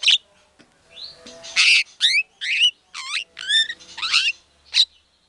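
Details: White-rumped shama in full song, played as a lure to provoke other shamas: loud, clean, separated phrases of rich swooping whistles and rapid trilled notes, with short silences between them.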